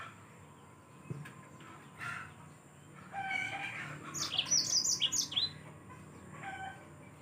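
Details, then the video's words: Yellow-fronted canary singing in lively form, recorded as a training tape for other cage songbirds: a short burst of rapid high chirped notes about one and a half seconds long, preceded by scattered lower chirps and background noise. "Mozambik anda pasti ikut Gacor"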